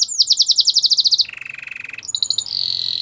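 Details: Belgian canary in song training, warming up for females: quick repeated downslurred whistles, then a lower buzzy trill and a high sustained rolling note, with faint background noise.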